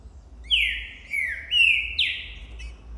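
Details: Green-winged saltator of the boi song type, recorded January 2024 near the end of the season and singing hard after seeing a female. It gives four loud whistled phrases, each sliding downward, run together with little pause.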